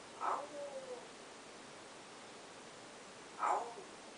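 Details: Pet African grey parrot around 4:30 in the morning practicing a newly favored "owww" sound: two soft, husky calls about three seconds apart, the first trailing into a thin falling whine, with a quiet room in between.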